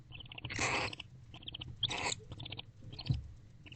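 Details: Bonded pair of wild barn owls in a nest box at night, October, after mating and during affectionate behaviour; rough breathy hissing screeches about a second long, repeated, with a faint low hum.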